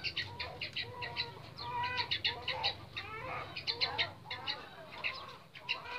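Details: Red junglefowl from Lombok, a male and a female kept in separate neighbouring cages while being paired for breeding; short harmonic clucks repeat in quick, uneven bursts amid dense high chirping from other birds.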